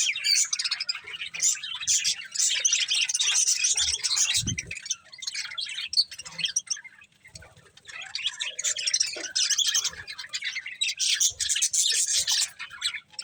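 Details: Several pet budgerigars chirping while eating corn: dense, continuous high twittering and rapid chatter, with a brief pause in the middle before the busy warbling resumes.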